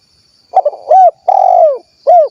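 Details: Close, loud spotted dove from Cilacap, Central Java, kuk 1 variety: a stuttering start, then a clear coo, a long sustained falling coo and a last short coo in quick sequence.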